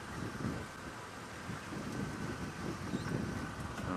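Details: Rumbling wind and vehicle noise during a sunrise drive, with low gusty thumps and a broad hiss.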